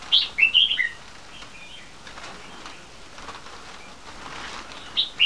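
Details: Captive three-month-old crossbred bulbuls, red-whiskered crossed with yellow-vented bulbul: a lively falling phrase of four chirpy whistled notes at the start, quiet faint twitters after, and a new phrase beginning at the end.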